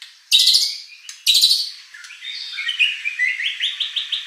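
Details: Murai batu, or white-rumped shama, singing to rouse competition birds into answering: two loud, harsh, scratchy high bursts, then a quickening string of short upslurred chirps.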